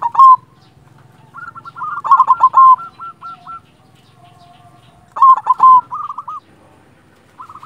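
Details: Silver local zebra dove (perkutut) in lively song: a loud rolling burst, then a string of clipped, evenly pitched cooing notes, a pause, and another burst followed by rapid short coos.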